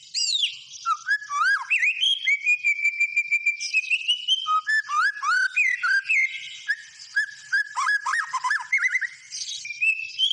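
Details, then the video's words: White-rumped shama in full, energetic song: rich whistled phrases swooping and looping between mid and high pitch, a long steady whistle near the middle, busy rapid notes layered above, continuous throughout. "SUARA BURUNG MURAI BATU GACOR"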